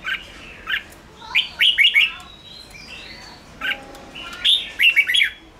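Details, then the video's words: Red-whiskered bulbul giving fiery ché song to stimulate newly caught birds: soft warbled notes leading into rapid bursts of loud, bubbling, slurred phrases, a single mid note, then another quick rolling cluster. "Chào mào ché kích bổi căng lửa"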